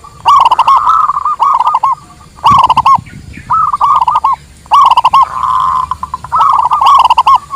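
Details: Zebra dove, local type, singing a master song also used to lure wild doves: loud cooing phrases of fast stuttering notes alternating with smooth rolling coos, separated by short silences, one brief low thump in the background.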